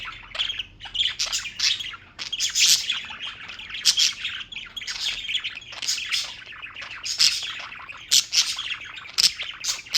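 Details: Caged-style chorus of pet birds in New York chirping nonstop, rapid high tweets layered with rasping squawks, loud bursts recurring every second or so.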